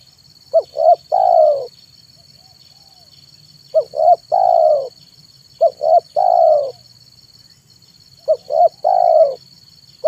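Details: Tekukur, the spotted dove, used to call in wild birds, cooing in the afternoon: repeated phrases of two brief notes and one long, sliding-down coo, roughly every two to two and a half seconds.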